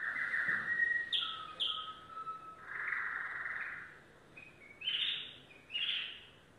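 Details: Singing yellow domestic canary: a varied phrase of short high whistles, a low flat held tone, a warbled burst, then separate rising chirps spaced about a second apart.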